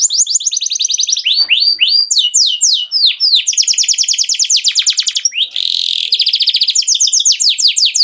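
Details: Canary singing a loud, continuous song of rapid trilled rolls and repeated sweeping whistled notes, changing phrase every second or so, with one brief harsh buzzy burst midway.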